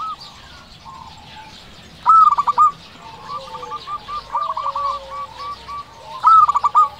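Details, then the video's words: Local zebra dove in full song, meant to lure other doves: two loud bursts of fast stuttering coos framing a softer middle stretch of rolling cooing, with faint background dove calls. "Perkutut lokal gacor"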